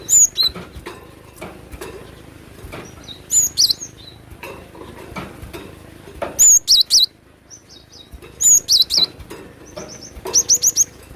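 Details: Excited, actively singing cinereous tit: bursts of high whistled phrases, each a few sharp two-part notes, repeating every two to three seconds with quiet gaps between.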